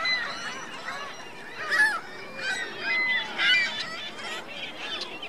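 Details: Goose family with goslings at Virginia Lake, Reno: squeaky, whistled peeps and harsh honks come in uneven bursts, roughly every second or two, over a constant background of chattering birds.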